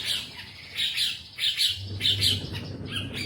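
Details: Lively long-tailed shrike song of grating, chattering notes delivered in irregular bursts, roughly one to two per second, with harsh buzzy edges; a low droning hum comes in midway.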